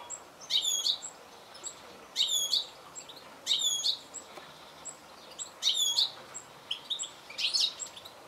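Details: Goldfinch calling: short, bright twittering phrases with sharp downward-sweeping notes, given in bursts roughly every one to two seconds with gaps of faint background hiss between them.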